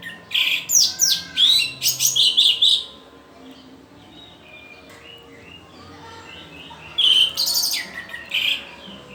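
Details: Learning orange-headed thrush, a young bird, delivers a rapid series of high chirps and twitters for about three seconds, falls quiet for several seconds, then resumes with another short chattering phrase.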